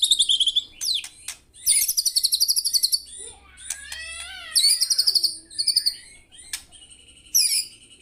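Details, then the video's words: White-rumped shama singing vigorously: rapid rattling trills of high notes, sharp clicks, and a bubbling warbled passage of descending whistles, phrases repeated in bursts. "BURUNG MURAI GACOR"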